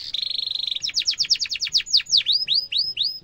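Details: Canary song for teaching young canaries: a fast buzzy rattle, then quick falling whistled notes and several slow upswept sweeps.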